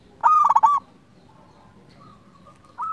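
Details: Local zebra dove recorded for luring and training other zebra doves: one loud burst of pulsed rolling coos followed by a soft sustained tone and the start of another phrase.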